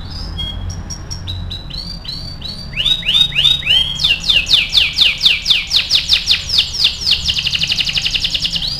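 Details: Caged canary performing for song training: soft high notes build into loud, evenly paced runs of sweeping whistled syllables, about four per second, closing with a fast buzzing high trill over faint low hum.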